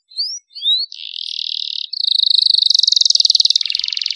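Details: Canary in its young stage, luxurious master song meant for training songbirds: two short rising whistles, a flat buzzy tone, then a fast, even, high rattling trill.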